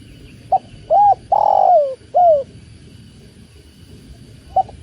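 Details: Spotted dove, known locally as tekukur, giving a soft cooing phrase: a brief note, a short coo, a long falling coo and another short coo, followed by a faint isolated note.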